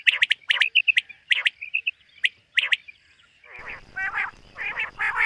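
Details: Morning call of a common quail in a summer meadow: bright, short whistled notes in tight groups of two or three over about three seconds, then fuzzy rasping sounds and background noise.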